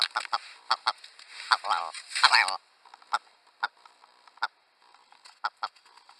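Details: Willow ptarmigan of the Northern Hemisphere, whose call is likened to laughter or a crazy chicken cackle: a run of sharp, clipped notes, a harsher grating burst in the middle, then spaced clucking pulses.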